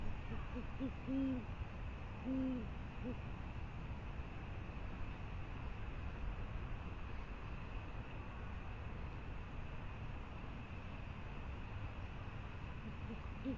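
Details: Great horned owl at the Presidio on 28 January 2019, having brought prey, gives two soft, low hoots about a second apart, then fainter hoots near the end, before flying off; steady low rumble of distant traffic.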